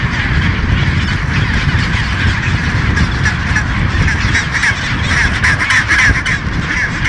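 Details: Thousands of chinstrap penguins in one of the world's largest colonies at Baily Head, Deception Island, South Shetland Islands, Antarctica: a dense, continuous din of harsh braying calls overlapping without pause, over a heavy low wind rumble.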